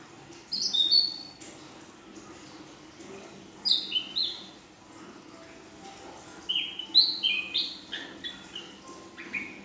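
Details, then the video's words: Young female Ashy drongo singing in full-isian style: three separated bursts of sharp, high whistled notes and quick downslurs a few seconds apart, with a softer lower whistle in the quiet gaps. "Burung Srigunting Abu Betina | Srigunting Abu Paud Betina Full Isian"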